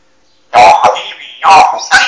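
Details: Pet parrot imitating human speech and reciting religious phrases indoors: two loud, harsh, voice-like syllable bursts with a raspy, throaty tone, followed by a shorter sharp call.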